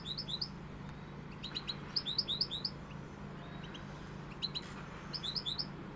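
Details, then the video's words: Pegada-style song of a European goldfinch: short clusters of liquid, high chirps rising in pitch, delivered in brief bursts with gaps, a faint steady hum underneath. "Jilguero pegada"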